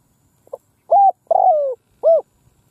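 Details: A decoy Spotted dove cooing in the middle of a field gives a soft, low phrase: a short lead-in note, then three hollow coos, the middle one longer and sliding down, in otherwise quiet surroundings.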